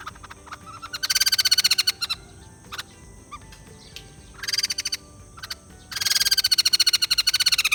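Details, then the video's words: White-crested laughingthrush: three bursts of rapid, pulsed, harsh chattering are separated by short pauses with isolated clicks and calls. The final burst is the longest and loudest, a dense run of quick repeated notes. "Poksai Jambul males bunyi, dengar suara ini malah GACOR"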